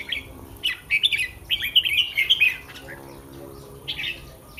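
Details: Red-whiskered bulbul in a cage before competition in Thailand, singing a dense fluty warble of quick rising and falling notes, then a quieter phrase after a pause; soft background hum.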